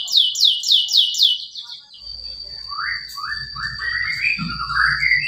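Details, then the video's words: Male canary song as a lure for quiet young canaries: two seconds of fast upswept trilled notes, then a thin steady whistle and slower, lower slurred phrases over a low hum. "Pancingan kenari macet bunyi || pancingan kenari paud"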